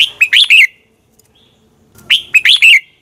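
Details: Red-whiskered bulbul singing its morning contest song, a lure for training: two crisp phrases of four quick, liquid whistles separated by nearly two seconds of quiet.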